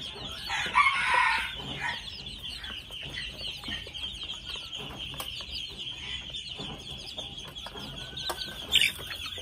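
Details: Red junglefowl at two months old give one loud, rough call lasting about a second near the start. Dense high chirping fills the rest, with a brief sharp burst near the end.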